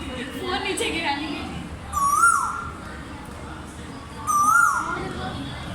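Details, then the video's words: Asian koel (koyal) calling: a clear whistled note that rises then dips slightly, heard twice about two seconds apart over a steady background hiss, with faint high wavering tones alongside each call. "koyal bird 🐦 sweet voice"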